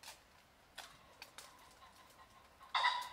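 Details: Common pheasant in the countryside gives a sudden loud, harsh, ringing cluck at the very end, after a few faint, soft ticking sounds.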